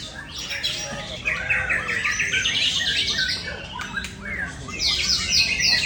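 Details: White-rumped shama, a kept songbird, singing rapid repeated high trills and chattering phrases in series, with busy background noise.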